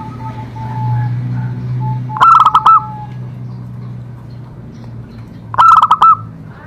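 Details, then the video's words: Zebra dove song used to stimulate other doves to sing: two loud stuttering phrases of quick coo notes about three seconds apart, with softer cooing before them and a low rumbling hum throughout. "Cocok untuk terapi semua jenis perkutut pasti nyamber"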